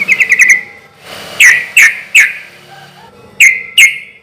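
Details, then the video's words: Yellow-vented bulbul singing loudly in a relaxed rhythm, used as a lure so other birds answer: sharp, ringing whistled notes, a quick stuttering burst first, then single emphatic notes spaced about half a second apart. "trucukan gacor suara keras irama santai sampai teler mantab buat pancingan trucuk agar cepat nyaut"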